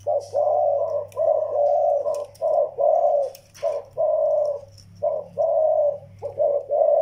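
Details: Young Malay zebra dove with an old Vietnamese decoy dove: continuous series of mellow, trilling coos in short bursts, nearly a dozen in seven seconds, with faint clicks and a steady low hum.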